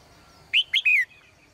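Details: Single phrase from a caged female bird in the morning: two quick sharp chirps followed by a longer note sliding downward, over a quiet background.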